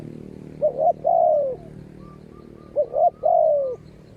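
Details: Spotted dove in ground decoy trapping with a fierce wild bird; two phrases of a double quick note and a long slurred coo that falls away, with a faint answering coo between them.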